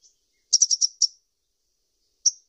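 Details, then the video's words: Sunbird (kolibri ninja) giving a rapid burst of five high sharp chirps, then a lone chirp after a pause of over a second, on a silent background. "SUARA BURUNG KOLIBRI NINJA"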